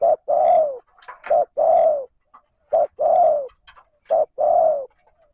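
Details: Spotted dove cooing steadily to stimulate a decoy bird to call: a repeated phrase of a short low coo followed by a longer drawn-out coo, three times, with faint higher chirps of other birds between phrases.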